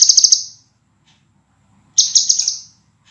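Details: Scarlet minivet song prepared as a training master for cage birds, clear, close-packed and sharp; a high stuttering phrase of quick notes fades out, and after a pause a second bright phrase follows.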